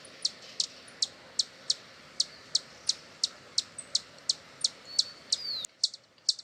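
A hummingbird gives sharp, high chips, about three a second at an uneven pace, with a few thin rising squeaks among them.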